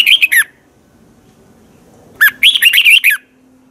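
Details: Red-whiskered bulbul in Thailand, teacher song for voice training: the tail of one whistled phrase, then after a gap a second phrase of six or seven quick, slurred, bubbly notes with a downward flick at the end.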